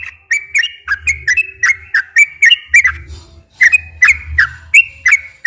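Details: Sooty-headed bulbul singing a long, nonstop 'ropel' song, used as a lure to get captive bulbuls to sing. Quick clicky whistled notes around one pitch, mostly falling, pour out in bursts with a short pause near the middle. A low hum runs underneath.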